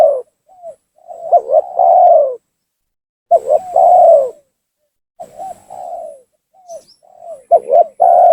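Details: Spotted dove giving a lure call to provoke rival doves into coming down; repeated phrases of soft introductory coos, a stuttered double note and a long loud falling coo, roughly every three seconds.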